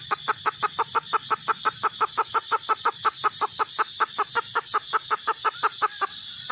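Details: Red junglefowl hen producing an unbroken train of short staccato clucks, nearly three per second, with a faint steady hiss behind.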